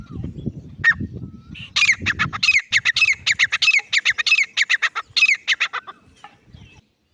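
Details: Loud, rasping call of a grey francolin (teetar): after a low rumble and a single note, a steady series of harsh, ringing squawks pours out at about ninety per minute, then fades away.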